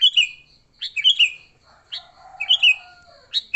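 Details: Sooty-headed bulbul fighting song used as a lure for bulbuls: repeated short bubbly phrases of liquid slurred notes, roughly one a second, with a faint lower rasping sound beneath midway.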